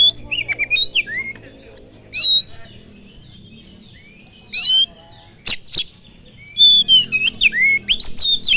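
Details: Kacer, the oriental magpie-robin, in a full-length lure song meant to make listening birds fired up: separate bursts of sliding, twisting whistles and sharp clicks, with short quiet gaps between phrases.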